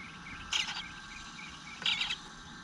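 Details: Eastern bluebird nestling asking for food in its nest on a June morning: two brief, harsh, high begging bursts about one and a half seconds apart, with faint soft chirps over a steady hum.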